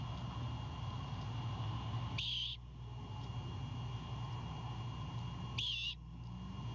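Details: Great horned owl owlet at night in a Savannah nest, 26 March 2022, going on the defense after its father brings a bird. Two short, noisy, hiss-like screeches about three and a half seconds apart against a low continuous hum.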